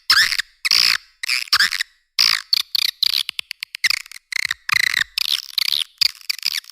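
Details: Lure call of the edible-nest swiftlet for attracting the birds in caves and farming: scattered bursts of high twittering chirps and rattling clicks, some bursts longer and buzzy, with uneven pauses between.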